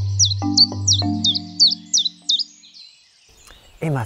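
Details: In spring, a small brownish Common Chiffchaff sings its "tip-tap" song: a run of about eight sharp, high, dropping notes, evenly paced like coins falling one by one. This is why it is called the coin-counter. Soft music plays underneath.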